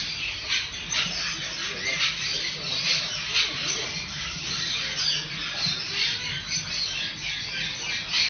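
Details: Hand-raised Monk parakeet (Quaker parrot) in Melbourne giving harsh, grating squawks in a steady, almost unbroken stream.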